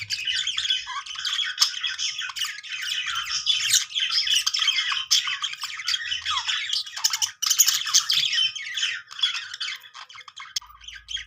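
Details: Several pet budgies chattering happily in a continuous stream of scratchy warbles, clicks and squawks with no pauses, busy and overlapping throughout.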